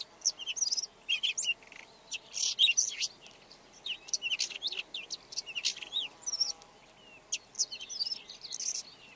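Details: Song of a red-backed shrike: a long, rambling sequence of scratchy chirps, squeaky notes and brief buzzy flourishes. Short gaps break it up, and faint low tones sound in the background.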